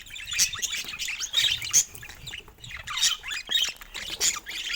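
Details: A group of pet budgies playing; high twittering chatter in surges with sharp chirps, pausing briefly between bursts.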